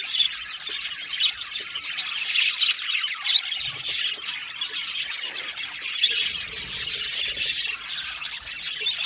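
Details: Crowded budgie aviary: squawky, squealing calls and quick chirps pile over one another in a continuous chattering din, louder in short bursts.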